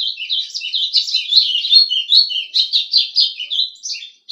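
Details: Pet golado (White-throated Seedeater) singing: a fast, lively run of high chirped and slurred notes, about two or three per second, rising and falling continuously with no pause.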